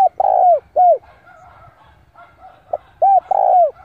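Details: Decoy spotted dove cooing to draw in rivals for a fight; quick runs of arched, slightly falling coo notes with a longer central note, separated by a quieter gap with faint background chatter.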